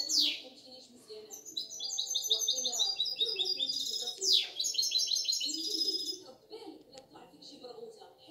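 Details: A six-month-old goldfinch × canary hybrid sings rapid, bright twittering phrases of trills and sweeping whistles, with soft voices murmuring in the background.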